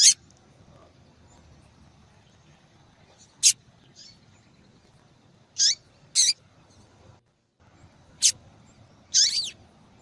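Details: Female yellow-bellied seedeater calling repeatedly to stimulate a cold male into singing: short, high, sharp chip notes scattered irregularly, with some louder buzzy bursts and long quiet gaps between them.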